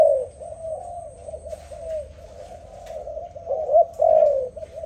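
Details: Low, mellow dove coos flowing almost continuously, gently wavering in pitch, with two stronger swelling notes toward the end and a quiet steady hum underneath.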